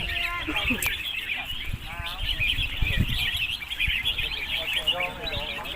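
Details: At a bird-singing competition on Sunday 7 August 2022, red-whiskered bulbuls sing short, bubbly, warbled phrases over a dense chorus of chattering birds, with people talking in the background.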